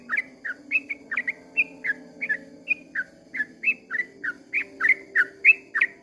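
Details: Yellow-vented bulbul singing at dawn in a long 'ropel' style: a quick run of short whistled, slurred notes, each dipping and rising, repeated about three times a second against a low steady hum.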